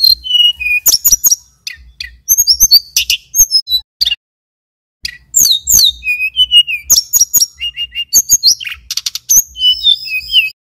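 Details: Male mountain tailorbird from Banyuwangi in a long, sustained song: rapid high whistled phrases, sharp chips and buzzy notes, briefly broken by a silent pause and then resumed, with no other sounds.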